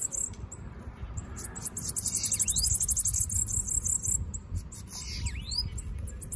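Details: Bananaquit loose outside a cage, giving very high, thin, buzzy trills broken by quick sibilant swooping notes, over a steady low rumble of background noise.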